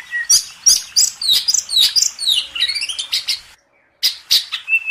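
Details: Contest-bird master song by an Oriental magpie-robin: a quick series of bright chirps and trilled phrases, a half-second silence, then further sharp notes and a level whistle.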